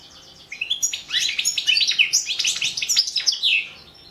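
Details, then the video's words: Goldfinch singing for a 2017 world song championship gives a dense burst of sharp, high chirps and rolling trills lasting about three seconds, then falls quiet. "World championship in Goldfinch Song 2017"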